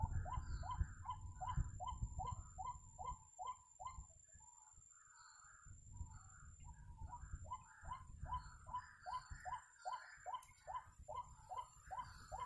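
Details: White-breasted waterhen, known locally as ruak-ruak, recorded during bird trapping: a long series of hooked, rising croaking notes, about one every second, pausing briefly midway before resuming, over a low rumbling background.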